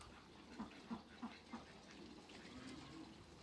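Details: Muscovy ducks, two males and one female, in a backyard, meeting other waterbirds: four soft, low, evenly spaced pulsed calls about a third of a second apart, then quieter background murmuring.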